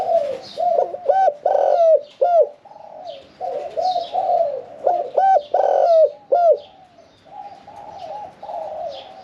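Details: Spotted dove, a caged bird never yet taken into a decoy pen, singing "khan yon 1 kuk" cooing in a medium voice: strong repeated hoots with bent, falling endings in groups, fainter doves cooing in the background.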